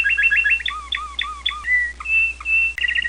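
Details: American Singer canary singing: fast repeated chip trill, then a series of looping whistled notes with low swoops, followed by long clear sustained whistles and another quick trill.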